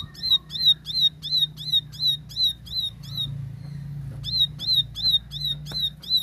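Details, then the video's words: Plain prinia (ciblek sawah) in clear 'tembakan' song: a rapid string of bright, metallic, downslurred chips near three per second, a pause of about a second, then the string resuming, over a steady low hum. "Tembakan Gacor Jernih Ciblek sawah"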